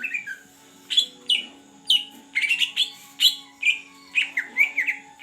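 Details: Energetic song of a caged Greater green leafbird from the Aceh Beutong forest, kept a month: bright high whistles and sharp chirps in clusters, some quick doubled notes, over a soft steady hum.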